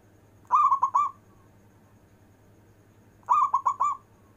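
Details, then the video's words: Local zebra dove performing long-breath manggung cooing to call lazy zebra doves: two phrases roughly three seconds apart, each a long opening coo followed by three shorter notes, over a faint steady hum. "Perkutut lokal istimewa manggung nafas panjang"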